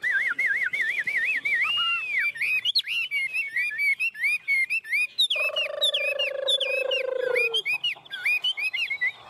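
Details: Chinese hwamei singing energetically while perched on a person's hand: wavering whistled trills, sharp slurred phrases and fast high notes, with a brief low humming sound midway.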